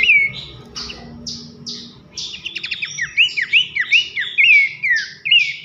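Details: Bush babbler (pelanduk semak) loud nyiul whistling song used as masteran for training contest birds: several soft slurred notes open, then a dense string of sharp rising and falling whistles with a brief rattling burst.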